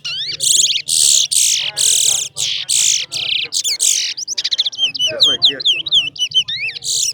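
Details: Towa towa singing in a bird singing competition: a loud run of rich, rapid warbled phrases, then quick twittering, looping whistled notes, with a soft low hum underneath.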